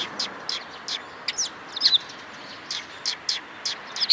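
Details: A sparrow group approaching to be fed, recorded 11 April 2022 on the way: scattered brief high-pitched chirps, irregular and separated by quiet gaps, with faint outdoor ambience beneath.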